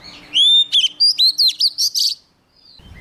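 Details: Young Oriental magpie-robin, wild bird nearby, delivering a lively phrase: a rising whistle leading into eight or so quick, looping, high chirps, then silence and faint background rumble.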